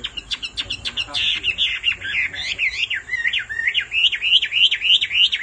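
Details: Hwamei male, fired up by a female's calls, gives a few sharp clicks, then a rolling run of quick, zigzagging whistled notes repeated about three times a second.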